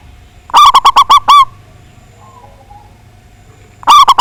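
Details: Local zebra dove in full voice with a big, strong song, used as a lure to provoke rivals to sing: a burst of about six rapid, resonant cooing notes ending on a longer one, then a second phrase beginning after a quiet pause.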